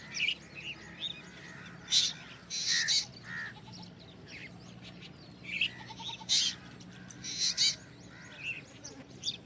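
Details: Strange vocals from a black drongo: harsh rasping bursts in pairs near two to three and six to eight seconds, separated by thin high chirps, with background hiss throughout.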